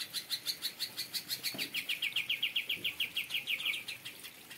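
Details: Aviary-kept cucak ijo (Greater Green Leafbird) in kapas tembak song, opening with high clipped notes that slide into a steady, fast series of lower slurred notes, nearly four seconds without a break.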